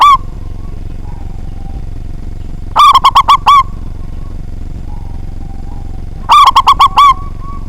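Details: Local zebra dove, a frequent, big-voiced singer used to provoke rival doves into singing: two loud phrases of five or six quick, rolling coos, about three and a half seconds apart, over a low steady hum.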